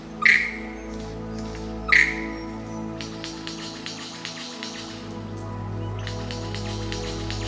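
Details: A male superb lyrebird in the Blue Mountains forest, Australia, mimics a yellow-tailed black cockatoo with two loud, harsh calls about two seconds apart, then scattered clicks, over soft background music, in a territorial display.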